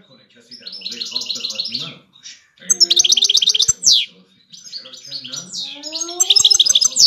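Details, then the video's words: Adult European goldfinch, five years old, in rapid twittering song: dense high trills and chirps, a steep descending buzzy note near the middle, continuing in lively jangling phrases. "تغريد حسون"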